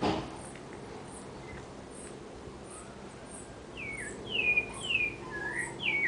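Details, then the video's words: Sabiá thrush singing in a home backyard in a big city: after a quiet start, a run of clear, descending slurred whistles, about five phrases in quick succession over the last two and a half seconds, with faint high chirps behind. "SABIÁ CANTANDO NO QUINTAL - BIRD (SABIÁ) SINGING IN MY HOUSE"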